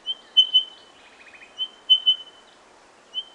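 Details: Male spotted pardalote at his nesting tunnel dug in a bank in Australia; high, pure piping notes in repeated sets of two or three, with a soft buzzy trill between.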